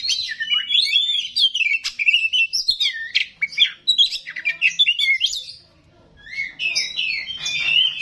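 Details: Oriental magpie-robin delivering a long, varied song of fast whistled slurs, scratchy chatters and sharp notes, breaking off briefly before resuming with more sweeping phrases.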